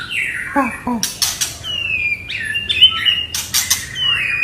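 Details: Agitated white-rumped shama in continuous song to provoke other birds: descending whistled notes, abrupt clicks and harsh bursts, then long sliding whistles with background hiss.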